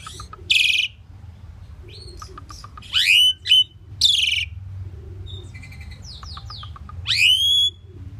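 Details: Common pied myna song with scattered sharp clicks, harsh bursts and rising slurred whistles rich in overtones, separated by short pauses.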